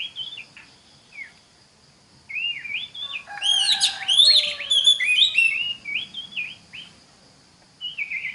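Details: Oriental magpie-robin song meant to coax other magpie-robins into singing: scattered whistled notes building into a loud, varied run of sweet whistles and twitters, then fading to single notes.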